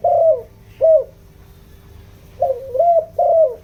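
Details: Spotted dove decoy calling in the 'giọng đồng' voice to attract wild doves. Two clipped coos, a pause, then a run of three husky coos ending in a falling note. Steady faint hum.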